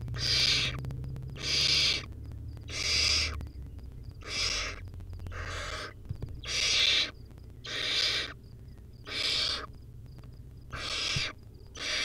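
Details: Wild baby barn owl on a nest cam, feeding on a rodent: harsh, broadband hissing screeches about half a second long, ten bursts in twelve seconds with short quiet gaps, faint low rumble beneath.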